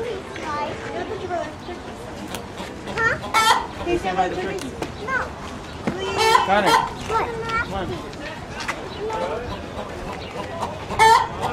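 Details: A fussing chicken, recorded 4-12-15, gives irregular bursts of clucks and louder cackling squawks over about twelve seconds, while people talk nearby.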